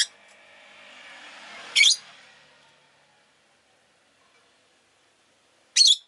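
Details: Rosy-faced lovebirds kept indoors in a city setting, calling fairly often; two loud, harsh, screechy chirps four seconds apart, with a fading hiss of passing traffic after the first and silence between.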